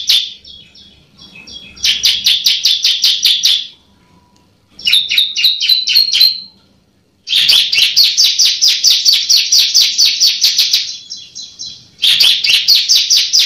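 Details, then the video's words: Bar-winged prinia song used as a training call to prompt reluctant prinias to sing: bursts of rapid, sharp, high-pitched notes, each lasting two to four seconds before a short pause. "Masteran CIBLEK"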